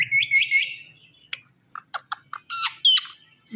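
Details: Pet Indian ringneck parrot, one of two talking parrots kept at home, giving three quick rising whistled notes, then a pause, then short clicking and chattering notes and two louder buzzy calls.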